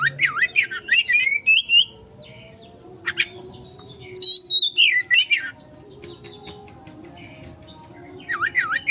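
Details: Oriental magpie-robin (kacer) lure song in the erratic konslet style, used to provoke a quick response: bursts of loud, sharply warbled, rising-and-falling whistled notes, then a pause, another burst, and a final burst near the end, over a low hum.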